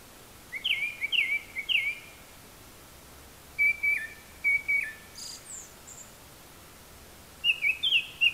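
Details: Japanese thrush singing from very high in a tree, imitating various other birds' calls: clear whistled phrases of three repeated down-slurred notes, then a pause, a second phrase of short notes and a few thin high notes, over steady hiss.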